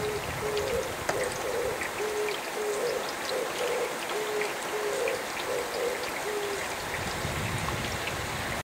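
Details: Oriental turtle dove, soaked by rain, calling early in the morning: low, soft cooing phrases in a steady repeating rhythm, with rain pattering and dripping throughout.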